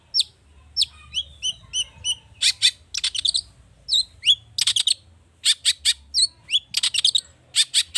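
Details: Long-tailed shrike with a rich mimicked repertoire, used to prompt other birds to sing: quick sharp chirps and rising whistles, then runs of rapid, dry, rattling notes in a busy, varied stream.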